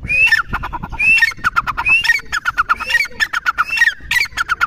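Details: Partridge, known locally as teetar, with the Dakni and Irani teetar types named. It gives a loud, harsh repeated call: a rising squawky note followed by a run of short clucking notes, the phrase repeating about every second, with faint background noise.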